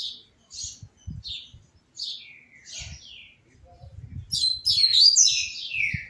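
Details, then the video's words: A caged Double-collared Seedeater sings while changing perches, first spaced single high chirps and a few falling whistles, then a loud, rapid, buzzy warble that ends in a descending slur, with faint knocks. "COLEIRO TEM QUE CANTAR TROCANDO DE POLEIRO"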